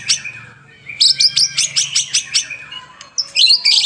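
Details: White-rumped shama, used as a master-song recording, singing a quick run of about nine bright, clipped notes, then a sweet, varied whistled phrase, over a faint low hum.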